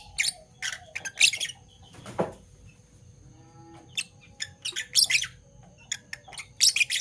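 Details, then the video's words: Fischer's lovebirds, parblue violet and parblue turquoise, give shrill, scratchy chirps in quick bursts of a few notes, one harsher low squawk between them, over a faint steady hum, in the morning. "Lovebird Chirping Sounds"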